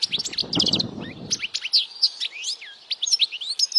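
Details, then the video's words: European goldfinch singing loudly, a recording meant for young goldfinches to memorize and to attract females: rapid, high tinkling twitters and sharp chirps with slurred notes, preceded by a brief low rustling thud in the first second. "Jilguero cantando fuerte para memorización los jilgueros /Goldfinch singing the best chirping sounds"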